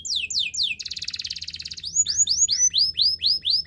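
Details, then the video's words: Canary song for training: a few downward-sweeping whistles, then a fast buzzy rattle tour, then clear upslurred chirps repeated about twice per second. "The best canary sounds!! Canary training"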